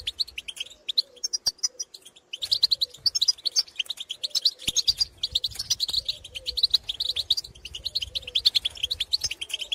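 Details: Wild European goldfinches out in the countryside, giving pitorreos and contact calls to their own kind: a fast, liquid, continuous twittering chatter with sharp clicks scattered through it and a soft background murmur.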